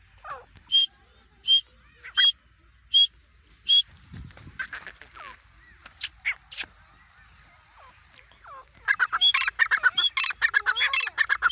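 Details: Teetar, the grey francolin, Desi or Dakhni type: five evenly spaced high whistled notes, scattered softer sounds, then a loud rush of harsh, crowded grating notes at the end.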